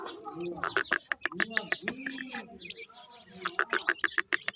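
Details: Grey francolin (teetar) chicks while feeding: rapid, sharp high chirps repeated several times a second in bursts, with a human voice talking underneath.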